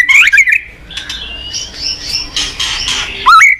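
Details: White-rumped shama recorded as a training master for young shamas: sharp, squawky whistled sweeps open and close the passage, with fainter scratchy rising notes and a thin steady whine between them.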